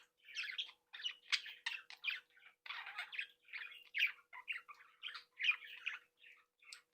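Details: Breeding flock of pet Budgerigars chattering and singing: evenly spaced bursts of scratchy warbled chirps and squeaks throughout, with a faint constant hum in the background.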